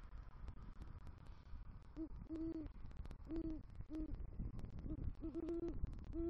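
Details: Male great horned owl entering its nest with a rodent in southwest Florida, November 2023, hooting at night to call the female; a run of about eight low, short, mellow hoots in irregular succession over rustling and tapping noise.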